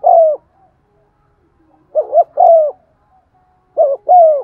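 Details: Decoy spotted dove giving its stimulating 'giọng son' coo: a long falling note, then two phrases of a paired short coo followed by a sustained descending coo; nothing else audible.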